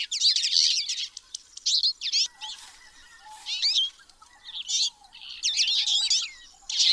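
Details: Twite (Linaria flavirostris), a small finch, gives high, rapid, dry twittering bursts in quick runs with short gaps, with faint lower chirps from other birds between them.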